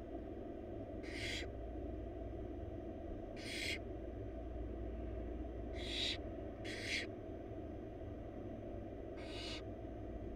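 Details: Barn owl chicks, four wild young in a nest box receiving a large rabbit from their mother: five soft, breathy hisses, two close together near the middle, over a steady low electrical hum.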